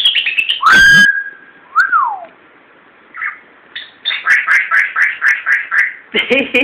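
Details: Timneh African grey parrot, a 14-year-old pet, happy and talkative indoors in a newly moved-to house; loud pure whistles, one sliding downward, then a rapid train of about ten bubbly chirps and a harsh squawk.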